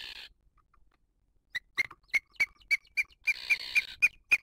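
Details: Booted eagle nest on a live camera in 2023, female feeding her chick: after near silence, loud clipped calls repeat about every quarter second, some merged with a harsher buzzy band, in an otherwise quiet setting.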